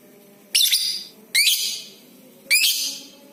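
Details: Lovebird calls for prompting other lovebirds to sing, with three sharp, harsh, high bursts about a second apart, each a brief rising shriek that fades quickly, over quiet background hiss.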